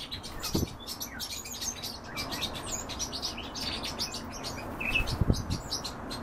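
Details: European bee-eaters call with dense, overlapping bursts of short, high chirps from several birds during feeding, with a couple of dull low thumps mixed in.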